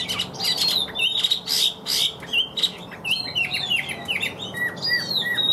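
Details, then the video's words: Chinese hwamei in captivity giving loud, steady singing: harsh, clipped notes at first, then a string of clear, slurred whistles that rise and fall in quick succession. "Họa Mi Hót Như Máy, Điện Đóm Căng Ra Giọng Đều"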